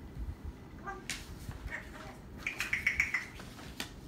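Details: Pet parrot indoors, a brief run of about seven quick, high squeaky chirps near the middle of the clip, with faint household rustles and clatter before it.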